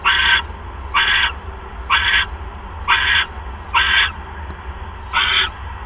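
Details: Owl at its nest during a mouse delivery on the evening of 1 January 2015, 6:33 PM, calling with six harsh, raspy, broadband bursts, each about half a second, spaced roughly a second apart over a steady low hum.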